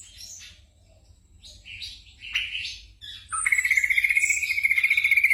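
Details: Black drongo recording for night-time training of caged songbirds. Scattered scratchy notes give way to a long, rapid, very regular trill at a steady pitch. A low hum sits in the background.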